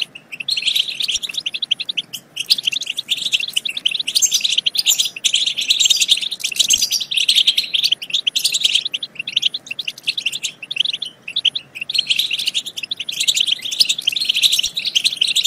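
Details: Extended European goldfinch song used to stimulate goldfinches to sing and mate. Constant, rapid, high twittering with tinkling chirps and buzzy trills throughout, with only brief pauses.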